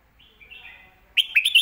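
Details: Master song of a red-whiskered bulbul for tutoring young birds, with soft slurred whistles at first, then a loud burst of three or four sharp, bubbling chirps at the close.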